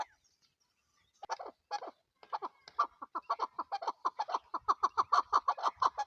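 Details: Chakor, the chukar partridge and national bird of Pakistan: after a second of quiet, scattered clucks quicken into a rapid rhythmic chuckling series that grows louder toward the end.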